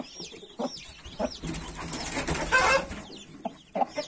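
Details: Mother hen with 31 newly hatched chicks: high, arching peeps from the chicks scattered throughout, with low, short hen clucks in bursts and a noisier stretch of mixed clucking midway.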